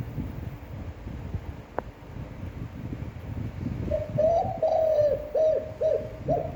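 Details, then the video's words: Spotted dove singing a standard, appealing long coo meant to rouse and train newly caught doves; a single click, then quiet rumble before a phrase of soft, hollow, descending coos, the longest note drawn out, ending in short coos. "Tiếng chim cu gáy chuẩn (kích bổi, hơi dài, giọng hấp dẫn, luyện bổi mỗi ngày)"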